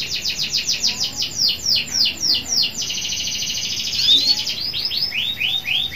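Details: Local canary in full song, meant to spur other canaries into singing: a rapid run of repeated downslurred notes flows into a dense rattling trill, then a series of bright upswept whistles spaced about half a second apart.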